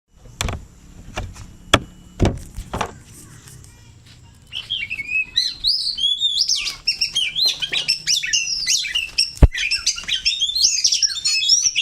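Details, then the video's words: Oriental magpie-robin practising its song against a rival, with loud clicks and knocks at first, then a dense stream of varied high warbles and whistles. "Belajar berkicau burung kacer || adu kacer untuk memantapkan kicauan kacer"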